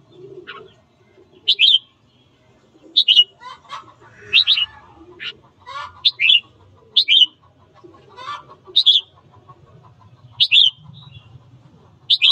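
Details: Morning singing of a red-whiskered bulbul used to excite birds into fighting; a long run of short, loud whistled phrases repeated about every second or so, interspersed with lower chirps and faint background noise.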